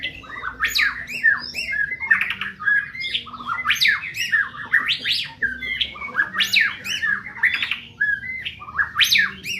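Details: White-rumped shama from Medan repeating harsh, scratchy phrases that mix grating buzzes with upward-swept whistles, in quick bursts about every second.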